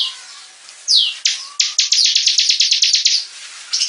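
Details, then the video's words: Bar-winged prinia (ciblek) in lively song: sharp descending whistle, then a rapid series of about fifteen clipped, buzzy high notes repeated several times per second, ending abruptly. "Kicau Burung Ciblek Gacor"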